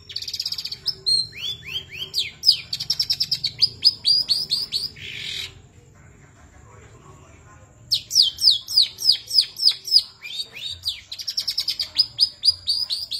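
Long-tailed shrike pouring out fast, scratchy chattering song of sharp high chips and quick down-slurred notes, in two long bursts separated by a brief pause, over a low hum.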